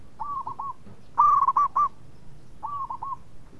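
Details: Local zebra dove, a lively, sweet-voiced singer said to prompt other birds to call. A soft rolling coo phrase, then a loud one of quick stuttered notes, then another soft phrase, all mid-pitched over low background hum.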